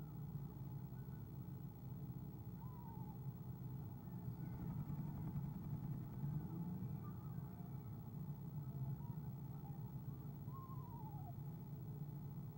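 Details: Several soft quavering trills from an eastern screech owl greeting its arriving mate, owl cam, 17 February 2015; brief wavy notes scattered through the stretch, the last longest and falling, with continuous low hum behind.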